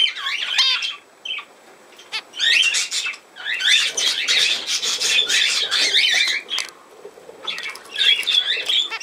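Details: Budgerigar chatter, 17 November 2024: a few looping chirps, then long dense runs of rasping, buzzy clicks and squeaks, with brief quiet breaks between the bursts.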